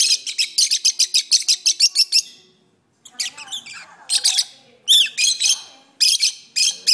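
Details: Pet lovebirds singing indoors at length on an arm: a quick regular string of about a dozen sharp chirps, a short silence, then scratchy squeaks, a looping whistled note and further chirp bursts.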